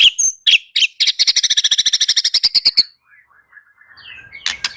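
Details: White-rumped shama song: a fast run of about twenty sharp, evenly spaced high notes in a rattling trill after a few opening chirps, then quiet soft twitters and a final burst of high notes.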